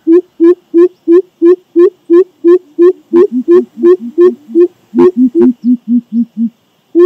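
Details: Greater coucal, also known as crow pheasant, giving a long series of deep, hollow hooting notes repeated about three per second, a second lower-pitched bird joining in a duet partway through, ending with a few softer low hoots.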